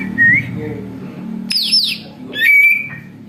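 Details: Noisy greater green leafbird imitating an eagle, used for luring birds: a short rising whistle, then loud high descending slurred whistles and a long sustained whistled note, over a steady low hum.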